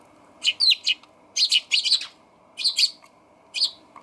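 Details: Eurasian tree sparrows at a balcony feeder on 28 October 2020, not yet used to a huge new feeder, give short bursts of chirping, several quick notes per second in clusters about a second apart, over a faint low hum.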